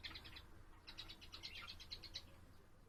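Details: Pet budgerigar twittering, a quick regular string of short chirped notes in two runs, over steady low background noise.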